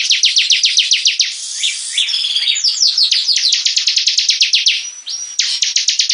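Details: Captive bar-winged prinia singing energetically: rows of crisp downward-sweeping high notes in quick succession, interrupted by a short twittering medley and a thin sustained whistle before the rapid chips return.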